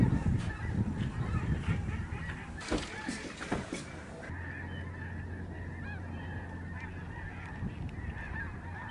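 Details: Huge flock of Lesser Snow Geese in the sky over the George C. Reifel Migratory Bird Sanctuary, Canada, November 2011: dense overlapping honks, with loud low rumble and handling noise over the first four seconds, then a steady gabbling chorus.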